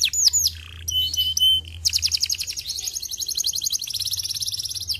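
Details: Canary song meant to encourage canaries to sing: opens with sweeping whistled notes and a sustained pure tone, then a fast, even high-pitched trill of rapidly repeated notes runs to the end.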